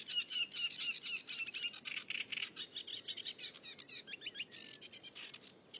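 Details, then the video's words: Wild cigrok in full, lively song: a dense, rapid chatter of harsh and sharp notes, mixed with a few slurred whistles and quick rising squeaks, almost continuous for several seconds. "Burung cigrok gacor di alam"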